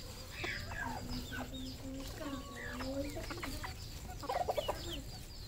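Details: Farm red junglefowl in Cambodia: drawn-out level peeps and clucking notes from several birds, ending in a quick burst of rapid higher clucks.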